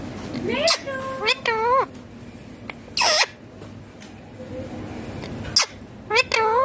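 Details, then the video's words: Pet green ringneck parrot vocalising as it eats, giving a string of wavering, bending speech-like calls and sharp screechy bursts, with pauses of low room noise. "Ringneck green parrot natural sounds talking eating foods"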